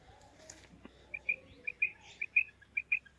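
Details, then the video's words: Female quail voice: paired high, slightly slurred notes repeated about every half second, with softer notes between, over low background noise. "Maadi Batair Ki Awaz, Female Quail Calling, Female Batair Ki Awaz,Maadi karkari Female Quail voice"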